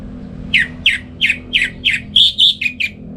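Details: Morning song of a home-kept orange-headed thrush (anis merah) from Singaraja, North Bali, in ngeplong style for training other songbirds: a run of about nine clipped, downslurred notes, the later ones higher and longer.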